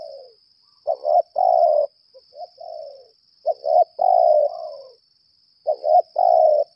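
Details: Lambung kuk spotted dove decoy calling in challenge. Hoarse phrases of a stuttered double note and a long level coo recur every couple of seconds, with quiet soft coos between them. A shrill steady hum is in the background.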